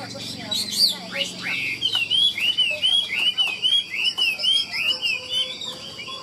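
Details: Caged Chinese hwamei being sold, with a song described as trilled and embellished. After brief mixed notes it repeats about ten bright, upslurred whistles in a steady rhythm, each roughly half a second apart.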